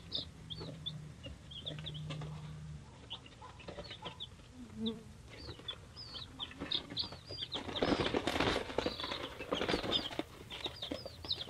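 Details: Three-day-old chicks, a mix of breeds including Polish, Leghorn, Rhode Island Red, Australorp and Cochin, peeping together: many high, short downslurred cheeps overlapping constantly over a noisy background with scratching and a burst of rustling.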